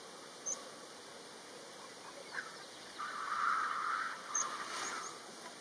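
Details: Lekking black grouse in open short-vegetation lek area in Kurzeme, Latvia; a breathy, hissing whoosh of about one and a half seconds rises midway, with faint bubbling murmurs and scattered high ticks in the background.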